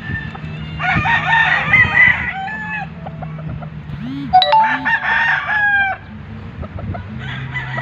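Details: Crowing from a White Leghorn rooster, with two hoarse, stretched crows separated by a pause, a couple of short low clucks in between, and another crow beginning at the end, against a constant low background hum.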